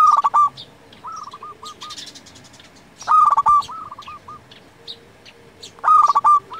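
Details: Eagerly singing local zebra dove, a lure and tutor for other doves: loud stuttering coo phrases about every three seconds alternate with softer coo series, while faint high chirps from other birds sit in the background.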